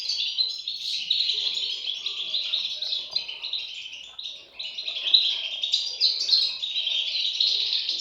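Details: European goldfinch chicks chattering fast and shrill, many thin chirps packed tightly together with a short dip before resuming loudly.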